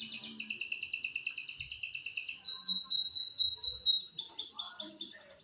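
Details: Caged canary during a morning training session on 25 November 2025, singing rapid repeated notes: a steady trill, then a louder series of descending sweeps, then a sustained high whistled run; no other sounds.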